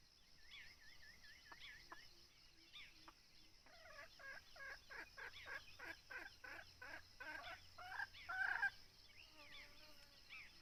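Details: Red junglefowl heard while being hunted with a decoy bird: after scattered whistles from other birds, a fast, coarse series of clucking notes builds and peaks near the eighth second, then fades into quieter birdsong and constant hiss.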